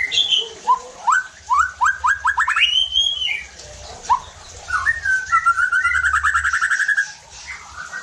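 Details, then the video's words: White-rumped shama song played to provoke other shamas to sing: a quick series of rising whistles, a long upslurred whistle, then a rapid trilled run, all loud and clear. "PANCINGAN EFEKTIF JADIKAN MURAI BATU NEMBAK KASARR UNTUK MENINGKATKAN EMOSI DAN BONGKAR ISIAN"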